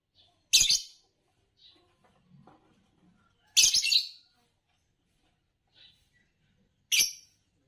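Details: Green Fischer's lovebird, a colour form winning bird song competitions in Indonesia, chirps in three loud gritty bursts roughly three seconds apart, with soft faint notes scattered between them.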